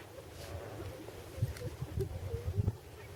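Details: Lesser flamingos at a salt lake in the Great Rann of Kutch, Northern Gujarat, India, 2012: low, goose-like honking and gabbling from several birds, growing busier toward the end over a steady background hiss.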